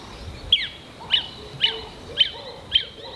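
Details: Lesser Honeyguide in southern Africa singing in early spring from a treetop song post used for years, to advertise presence or attract a mate: five sharp, high notes, each dropping slightly, about every half second; faint lower sounds murmur behind.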